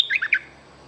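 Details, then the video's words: Luring song of a bulbul, called a feisty young bird: three quick, slurred whistled notes, each rising then dipping, then fading into a quiet hum. "เสียงต่อนกดอกแตงEp.164 วัยรุ่นกำลังห้าว!! Suara pikat merbah lekir gacor"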